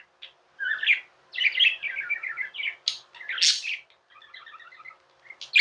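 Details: Pet budgerigar chatter, tamed birds: rapid strings of bubbly, scratchy notes and squeaky chirps, with a bright rasping burst in the middle and a soft run of quick beady notes near the end.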